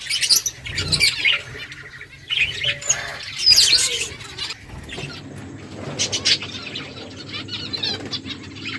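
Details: Finches chirp while feeding, giving several bright, high chirps early on, then quieter scattered twitters and clicking over a low hum.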